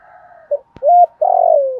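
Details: Spotted dove coo phrase played to stir decoy birds into cooing: a soft trailing note, a brief low note, a clear level coo, then a long vibrating coo sliding downward; a sharp click in the middle.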